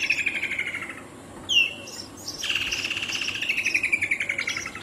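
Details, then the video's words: Woodland kingfisher trill fading at the start, then a piercing single note and a long, fast, slowly descending rattle. "Call of the Woodland kingfisher"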